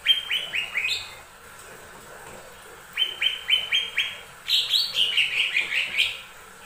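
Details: Lesser green leafbird song used as a lure for other birds: bursts of rapid, bright, downslurred whistles, growing denser and more varied in the final run of chattering notes.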